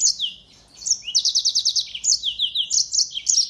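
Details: Mozambique finch, also known as African canary, used as a training model for songbirds: a continuous run of rapid, high-pitched repeated notes and sliding chirps, energetic and unbroken.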